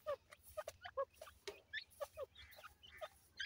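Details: Partridge chicks playing, giving short, high, downslurred peeps roughly once a second, with a few higher twitters and soft rustling and tapping between calls.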